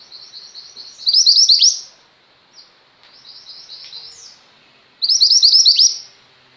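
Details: Lively female Mountain White-eye song for tutoring captive white-eyes. Quiet high chatter rises into a loud fast run of slurred twitters, a pause, a softer stretch of chips, then another loud burst of rapid high notes.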